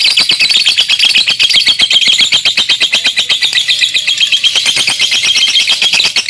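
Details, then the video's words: A young lovebird delivering a long ngekek, a sustained, rapid, shrill chattering trill of dense high notes pulsing about four times per second without a break, loud and close. "LOVEBIRD PAUD NGEKEK PANJANG"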